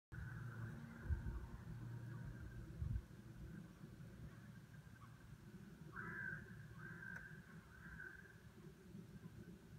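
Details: Greater White-fronted Geese give high, yelping two-note flight calls, clearest in a short burst late on, at a goose meadow near Søholt, over a steady low rumble of traffic or wind.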